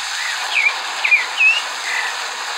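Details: A thrush sings four short, clear whistled notes, slurred falling or rising, about half a second apart, over steady rain hiss; it sings when a rain-sounds app is played, and the owner believes rain encourages thrushes to sing.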